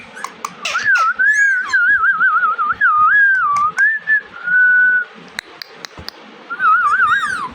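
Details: Indoor Indian ringneck parakeet, a talking pet bird, giving a string of warbling whistled phrases that wobble up and down, a long flat whistle near the middle, then a final wavering burst, with faint clicks between.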